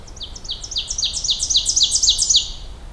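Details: A very close, loud Ovenbird, well hidden beside a trail on an overcast morning hike, sings a fast, ringing series of high two-note phrases, about eight per second, growing steadily louder over nearly three seconds.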